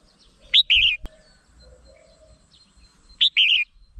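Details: Red-whiskered bulbul song used as a trapping lure: two short loud phrases about three seconds apart, each a sharp rising note followed by a warbling, slurred trill, with quiet low background.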